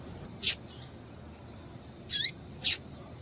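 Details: Female double-collared seedeater calling to stimulate a male: three high, sharp chip notes, one alone, then two close together near the end.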